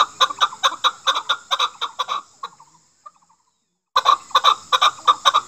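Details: Chukar partridge, Pakistan's national bird, a hunter's calling sound meant to draw a female: loud repeated clucking chuk notes in quick pairs and runs, a short break of near silence, then the clucking series resumes.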